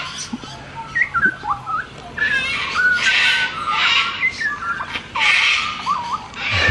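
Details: Grey butcherbird, one of a male and female pair, giving clear, piping whistled notes, short rising and falling slurs in a loose musical phrase, with bursts of broad noise, possibly a voice, over the middle.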